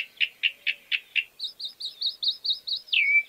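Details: Chalk-browed mockingbird repeating five burry notes, then eight quick high wavering chirps, finishing on a long descending whistle.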